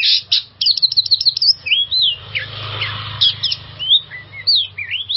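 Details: Oriental magpie-robin song played to get stressed birds singing: a fast buzzy trill opens, followed by spaced clear whistled slurs, some rising, some dipping, over a steady low hum.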